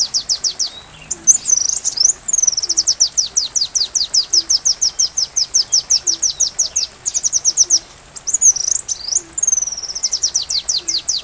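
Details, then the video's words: Sunbird song for shama training: a long, steady run of fast, high, downward-sweeping ticking notes, broken twice by looping whistled slurs, with rain softly behind. "Masteran Rajanya Isian Kolibri"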